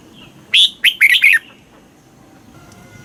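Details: Caged red-whiskered bulbul stimulation song from Thailand, southern master style: one brief phrase of four loud, buzzy whistled notes in quick succession, followed by quiet with faint tonal sounds near the end.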